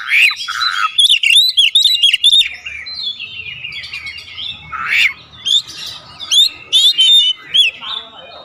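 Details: Oriental magpie-robin (kacer) singing full isian with calling tones: loud looping whistles and chirps, then a quieter, scratchy stretch, then more bright, swooping whistled phrases.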